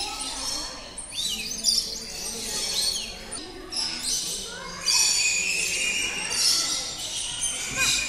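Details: Many captive birds chirping in the aviary at Ramoji Film City, a dense overlapping chorus of high, thin chirps and short whistled slurs throughout, with a low murmur of people's voices beneath.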